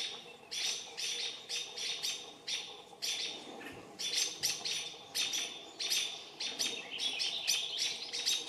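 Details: Several American robins attacking a perched barred owl give a dense stream of harsh, piercing alarm notes, clustered in quick runs with short pauses, with some overlapping calls late in the sequence.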